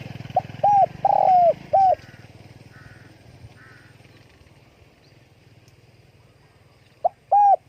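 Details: Spotted dove calling with wing flapping: a few soft coos, including one longer drawn note, then a stretch of background noise with faint distant calls before another pair of coos at the end.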